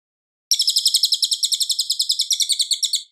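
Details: Cililin singing a clear, loud song used for White-rumped Shama training: a long, even, high trill of rapid chipping notes lasting about two and a half seconds, with the notes growing slightly softer near the end.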